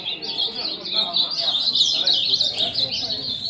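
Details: A dense chorus of caged ultramarine grosbeaks, with around thirty cages mentioned. Rapid, overlapping high warbles and slurred whistles run without pause, and low human speech sits beneath.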